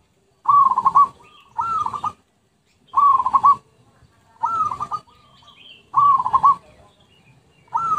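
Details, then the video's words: Lure recording of zebra dove song: short trilling coo phrases repeated roughly every one and a half seconds, each a burst of quick pulsed notes on a level pitch, with faint background hiss between. "Pikat Merbuk/Perkutut"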